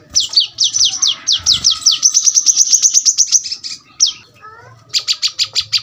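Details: Brown-throated sunbird in the tight-burst 'tembakan rapat' song style: loud downward-sweeping high notes that speed into an even rapid trill, a short gap with faint lower chirps, then a closing run of six sharp notes.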